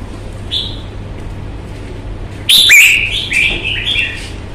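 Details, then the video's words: Caged red-whiskered bulbul in fighting display, kept by Vietnamese bird hobbyists: a brief high whistled note, then a loud burst of rich warbling phrases sliding and jumping between mid and high pitches, with steady low hum beneath. "CHÀO MÀO | Bóng bộ thái độ nết đấu chất giọng cực hay"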